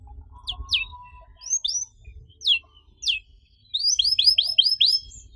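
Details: Canary singing quietly in a lure recording for non-singing canaries. Scattered single high chirps are separated by gaps, followed by a quick run of five rising-falling whistles. Low rumbling noise runs throughout.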